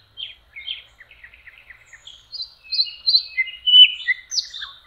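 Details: Common nightingale singing on a lakeshore in spring, in May: a varied series of short, high chirped notes, a run of quick repeated ticks, then louder, brighter whistled and slurred phrases rising and falling. No other sounds intrude.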